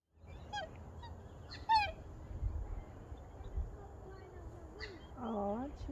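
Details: Male black swan calling his mate to follow as they cruise along the shoreline of a freshwater lake: several short, bugling, slightly wavering calls ending in a longer nasal whoop, over a low background rumble.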